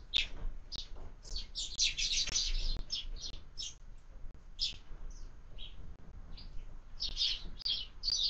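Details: Breakfast at a window feeder where sparrows are fed year-round: a busy run of clipped, high tweets, bunched in rapid clusters with short gaps, light tapping in between.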